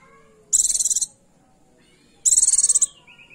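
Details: Female Oriental white-eye luring a male: two high, rapid pulsed trills about 1.7 seconds apart, followed by a quieter, lower trill at the end.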